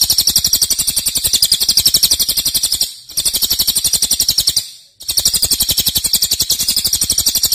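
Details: Cililin shooting out long loud trills, a favourite master for training songbirds: three bursts of high, fast, repeated notes, each ended by a short pause before the next.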